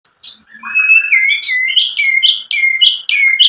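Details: White-rumped shama song used as a lure to provoke other shamas into singing: clear sustained whistles near one pitch alternating with higher buzzy notes, loud and varied.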